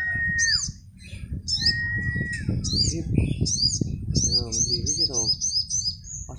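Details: Sunbirds matched in a late-afternoon singing contest around four o'clock: sharp, high slurred notes repeated in quick series, a long lower whistle, and some lower buzzy chatter, all over a constant low hum.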